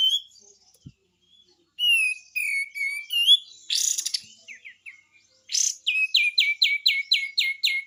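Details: Pied triller giving an energetic besetan song for tutoring other birds: varied high whistles and chattering notes, a harsh buzzy burst, then a fast series of about ten sharp downslurred notes, clean and without background sound.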